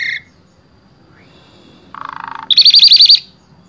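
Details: Asian pied starling, Wonosobo, Indonesia, song for tutoring other starlings: a brief harsh note, a faint rising whistle, a low buzzy rattle, then a rapid trill of looping high whistled notes.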